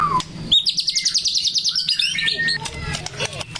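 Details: Male white-rumped shama singing: a brief slurred note, then a fast, even run of high buzzy notes repeated about eight times a second, followed by a few sharp whistles, with faint background noise.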